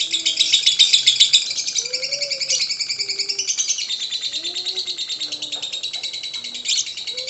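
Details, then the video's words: Lovebird singing, used to coax other lovebirds into song: dense, high, buzzy chattering that pulses steadily without a break. Some lower, scattered whistled notes sound underneath. "LOVEBIRD SINGING"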